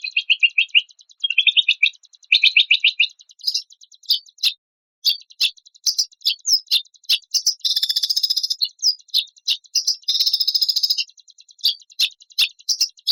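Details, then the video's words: White-rumped shama song in a compiled training recording of varied 'isian' material with 'tembakan kasar' rough bursts: fast high trills and chirps at first, then sharp clicking notes, harsh buzzy rattles and short whistles in quick, clipped succession. "MATERI KOMPILASI ISIAN BURUNG MURAI BATU TEMBAKAN KASAR MEWAH GACOR"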